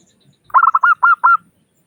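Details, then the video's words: Zebra dove of local stock with a crystal-clear voice, played to lure other doves into calling: a brisk run of about six mellow coos, closing with two longer, slightly arched notes, on a quiet background. "Suara Burung Perkutut Lokal Gacor Pancingan Perkutut Agar Cepat Bunyi"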